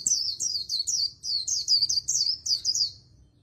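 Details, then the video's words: Continuous super-fast líu song of an Oriental white-eye, about twelve sharp, downslurred high whistled phrases delivered almost without pause. "Luyện Giọng Vành Khuyên Líu Đấu Siêu Nhanh | Khuyên Líu Kích Bổi | Khuyên Líu Giọng Chòe Chuẩn"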